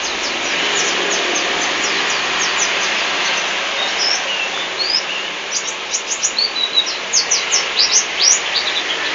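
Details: Local Lambur white-eye (pleci) gives rapid, high, thin twittering notes in loose bursts over constant strong background hiss.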